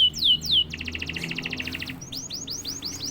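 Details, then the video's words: Prompted canary singing: two loud swooping notes, then a rapid even rattle of short clipped notes for over a second, followed by a string of repeated arching whistles about five per second; faint low hum behind. "Sekali pancing kenari diam langsung bunyi."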